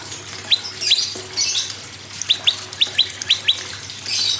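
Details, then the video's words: Prinia song played to make other birds sing: a few widely spaced sharp rising chirps among bursts of hissing noise, then a quicker run of paired chirps. "PRENJAK LUMUT GACOR PRENJAK KEPALA MERAH GACOR TERAPI PANCINGAN SEMUA BURUNG MACET AGAR BUNYI GACOR"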